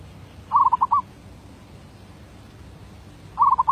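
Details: Zebra dove (merbuk), 2019, derak labuh voice-B style: a clear phrase of rapid throaty cooing beats with a longer last note, followed about three seconds later by the start of another phrase.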